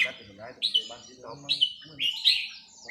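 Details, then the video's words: Red-whiskered bulbul in a cage being practised on a free day: three loud whistled phrases spaced about a second apart, each a quick rising-then-falling slur, with a man talking between and beneath them. "ซ้อมนกกรงหัวจุก วันว่างๆ"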